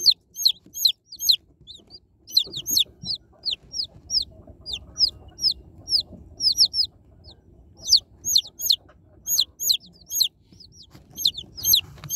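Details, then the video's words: Baby chicks being unboxed give rapid high peeps, each a short sharp downward-sliding chirp, in busy bursts with brief pauses between, over soft rustling and handling noise. "Unboxing Cute Baby Chicks| Chicks Relaxing Sound Effects"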